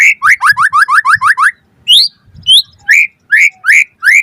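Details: White-rumped shama song from a lure recording: a quick run of seven upward-sweeping whistles, then spaced higher notes and rising whistles, with soft low thumps underneath.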